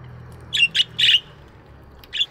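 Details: Budgies chirping in an aviary in the morning: three quick, rasping chirps close together, a short pause, then one more chirp at the end over faint low background hum.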